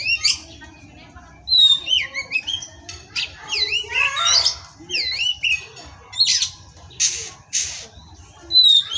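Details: Oriental magpie-robin (kacer) in captivity, a 'pastol' tutoring song: loud bursts of sharp whistles and V-shaped slurred notes, some harsh rasping phrases, separated by short pauses, fairly quiet background.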